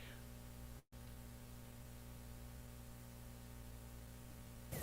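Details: Steady low electrical hum with static, a brief dropout near one second and a louder burst of noise at the very end.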